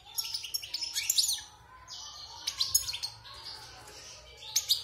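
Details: Wild European goldfinch, caged for six months and just out of its moult, singing rapid high twittering bursts with liquid trills and short buzzy notes, broken by brief pauses.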